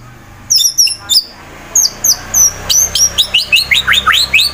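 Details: White-rumped shama from Wonosobo, Central Java, Indonesia, singing to provoke rivals into song: a rapid series of very high, sharp chipping notes, each a quick downward sweep, repeated about four times a second and speeding up.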